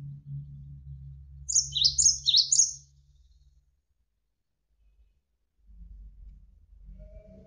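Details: Javan sparrow (gelatik wingko), training recording for songbirds: one brief cluster of three high, swooping chirps over a steady low background hum.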